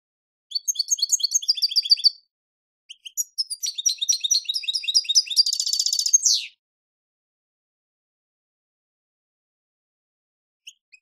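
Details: European goldfinch song from a Pepe Reyes recording: two long bursts of rapid, high, liquid twittering with a buzzy trill near the end, followed by a long silence and faint chips.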